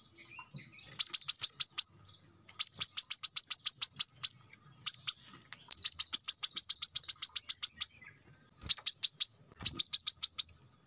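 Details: Brown-throated sunbird, kept as a caged songbird and used as a master song to train other birds: rapid high trills of sharp ticking notes, in bursts of about one to two seconds separated by short pauses.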